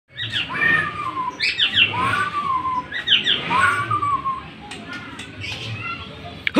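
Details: White-rumped shama of Bornean type, a top-five contest bird, singing loud rich whistled phrases with falling slurs and sharp high notes, repeated roughly every one to two seconds over background noise.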